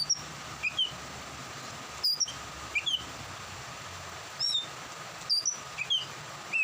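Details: Oriental magpie-robin singing more eagerly during rain: short high thin whistled notes and chips scattered irregularly in brief bursts, over a constant hiss of rainfall.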